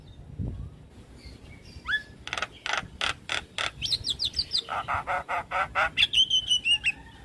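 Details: Active Javan myna song rich in filler phrases, aimed at drawing quick replies from lure mynas. Soft whistles give way to a rapid regular series of coarse, rasping bursts, then descending whistled notes woven among the harsh chatter.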